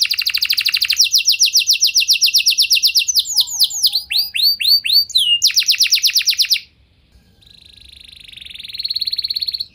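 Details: Canary lure song to trigger long singing in other canaries: a long, rapid, high rattling trill, a few looping downward whistles, another dense trill, a brief pause, then a quieter buzzy trill rising in volume.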